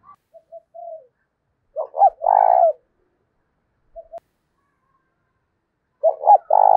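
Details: Decoy spotted dove in thổ đồng voice, provoking another male to fight: soft short coos lead into a full phrase of two notes plus a long throbbing coo, repeated about four seconds later.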